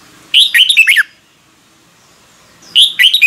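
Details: Red-whiskered bulbul singing in the morning for song training: a quick warbled phrase of slurred whistles, a second of quiet, then the phrase starting again.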